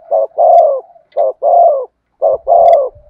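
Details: Spotted dove singing in the thúc gù cooing style with the thổ sấm voice. Three low, hollow phrases, each a short coo followed by a longer, drawn-out coo, repeat about once a second with brief pauses between them.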